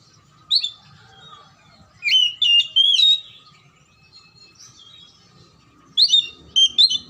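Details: Oriental magpie-robin song for prompting lazy or stuck birds to sing: a lone note, then clustered bright whistled phrases, a pause, and another lively burst, all over a soft continuous hum.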